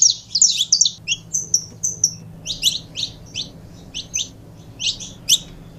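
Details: Saffron finch giving spaced, high, sharp chirps and short twittered groups, quieter than usual, over a low steady hum.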